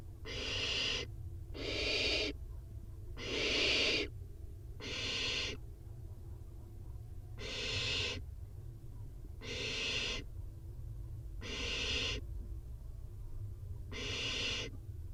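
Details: Barn owl nestlings, one of four in a nest box, with a prey drop setting off a feeding frenzy as one grabs the food first. Harsh, broadband hissing screeches about a second long repeat roughly every two seconds, eight in all, over a low hum.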